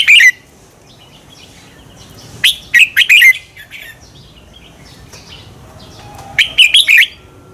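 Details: Red-whiskered bulbul song meant to provoke birds into singing contests: short bursts of quick whistled, chirpy notes separated by long quiet gaps, with a faint low tone in the background.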